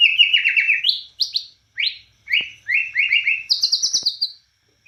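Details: Borneo white-rumped shama singing actively in cililin style: rapid rattling chirp series alternating with single sharp upslurred notes and short pauses, finishing with a higher fast trill.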